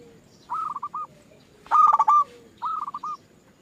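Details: Zebra dove song from a lure recording for making other doves sing: a soft stuttered cooing phrase, a loud close one, then another soft reply, all within a few seconds.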